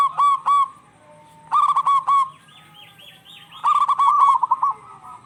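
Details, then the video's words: Local zebra doves singing back and forth as a lure for stressed birds. Paired coos, a cluster of three or four quick notes, soft wavering tones, then a fast rolling trill. "Suara perkutut lokal gacor bersautan paling cocok pancingan perkutut lagi stress"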